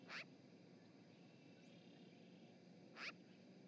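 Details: Magpie calling at an osprey nest in Charlo, Montana, captured by a live nest camera on 7 March 2018. Two short, harsh, scratchy notes about three seconds apart stand out against quiet, hissy outdoor background.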